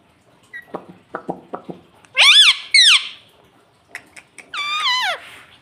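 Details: A pet talking parrot makes soft tapping clicks, then two loud, steeply falling squawks and a final longer note that wavers downward.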